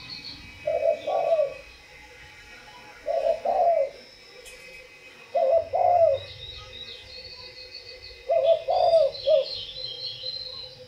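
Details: Spotted dove repeating its cooing phrase four times about every two to three seconds. Each phrase is low, rounded and burry, two or three notes run together. Twittering of other small birds sounds faintly in the background.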